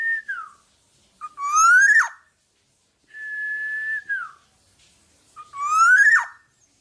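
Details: Black-naped oriole, a bird in full song kept for training other songbirds: long level whistled notes that slur downward alternate with loud, harsh, rising nasal sweeps ending in an abrupt drop, each heard twice.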